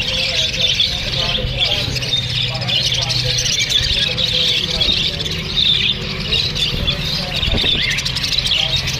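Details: A group of Australian parrots keeps up nonstop chirping with one another, with bright overlapping tweets and scattered squawks and a low droning hum beneath.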